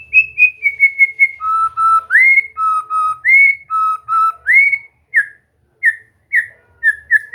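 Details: White-rumped shama song intended to get a bird singing freely: ringing whistles alternating between high and lower pitches, some long and level, others swooping upward, delivered in unhurried phrases.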